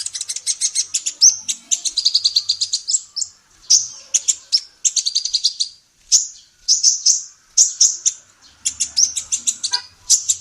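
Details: Female olive-backed sunbird singing actively, used as a tutor recording for songbirds: rapid high-pitched chittering trills and sharp tweets in quick bursts, with brief pauses between phrases.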